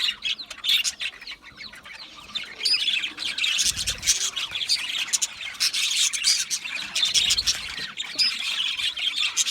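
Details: Budgie parrots in an aviary make a lively, high, hissy chorus of chirps and squawks that grows louder after a quieter start, with sharp clicks throughout.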